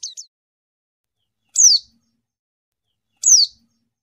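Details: White-eye calling a rival, clean recording: isolated high, thin, down-slurred chirps, each sounding about every one and a half seconds with silence between.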